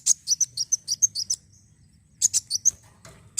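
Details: Sunbird (kolibri wulung) song used as a lure to stimulate other birds to sing: fast bursts of thin, high chirps at about three per second, a pause, then another rapid twittering run.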